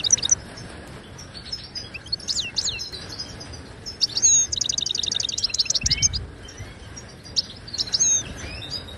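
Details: Moroccan goldfinch singing its Widani-style song for tutoring caged birds: scattered high twitters and sweeping notes over a background hiss, with a rapid repeated trill in the middle and a few buzzy phrases after it.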